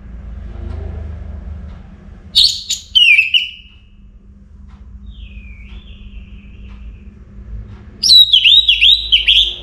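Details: An orange-headed thrush kept as a cage bird sings before dawn: loud fluting phrases, a soft distant whistle in the middle, then a quick run of repeated dipping notes, over low background rumble.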